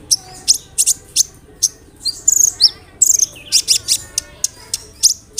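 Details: Sunbird song for prompting other sunbirds to answer: loud, piercing high chips spaced irregularly, mixed with brief buzzy trills and sweet twittered phrases.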